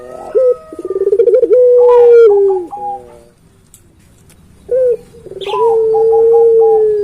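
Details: Puter pelung dove used as a lure for others of its kind: a sharp upslur, a rapid pulsed stutter, then a prolonged level hoot, repeated after a short pause with higher wavering tones above.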